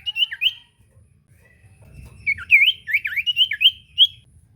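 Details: Common iora song used to provoke a silent bird into singing: clear whistled notes and quick rising-falling slurs, with a pause before a faster run of bouncing phrases.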